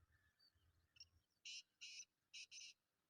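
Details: Black francolin calling. Four loud, harsh, grating notes come in two pairs after faint chirps, with a quiet outdoor background.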